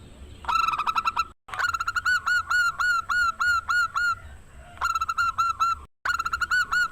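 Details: Zebra dove from Indonesia, a rare loud local voice used to lure rivals into singing: long phrases of rapid, evenly spaced hooked coos, interrupted by brief silent cuts and resuming each time.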